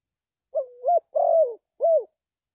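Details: Spotted dove in a trapping context, cooing low: a rising, drawn-out opening note, a long rough burry coo sliding down, then a short arched coo to close. Nothing else is heard.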